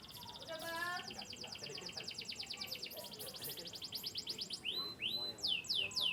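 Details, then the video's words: A canary of Yorkshire, Turkish and US descent sings fast, bright rolling trills of rapid repeated notes, then loud sweeping whistles that slide down in pitch, with soft chatter underneath. "chirping birds.Canary bird."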